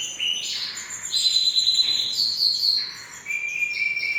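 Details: Canary song made of sustained high whistled trills changing pitch in steps, with a lower rattling trill near the end.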